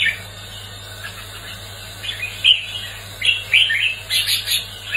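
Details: Competitive singing by a red-whiskered bulbul, meant to excite and train bulbuls: quiet at first, then several quick warbling phrases of chirpy slurred notes building toward the end, faint low hum beneath.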